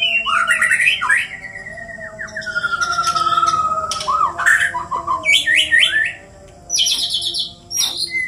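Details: White-rumped shamas from Borneo, Indonesia, two birds fighting. Energetic song of warbled phrases, long descending whistles and fast buzzy trills, with loud clicking bursts and a brief pause before it resumes.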